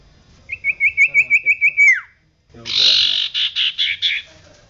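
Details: Common iora, recorded persistently singing as a training recording for caged birds: a fast trill of bright whistled notes falling away at the end, followed by a loud rasping, buzzy chatter broken into several pulses.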